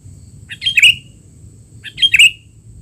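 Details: Sooty-headed bulbul in 'teler' style, a noisy sound used to tutor young bulbuls: two short bursts of harsh, chattering chirps, about 1.3 seconds apart, with a faint steady high hum behind.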